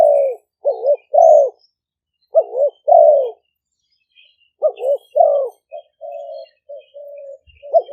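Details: Caged spotted doves used as decoys in Roi Et, Thailand, recorded live on a smartphone. Phrases of two quick wavering notes and a long falling coo repeat about every two seconds, then quieter level coos follow.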